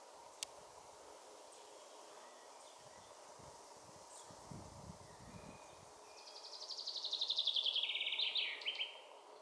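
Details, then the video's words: A common chaffinch delivers one full song strophe near the end, a rapid trill of repeated notes sliding downward and finishing with an emphatic flourish; a few faint clicks and rustles precede it. "Buchfink Gesang"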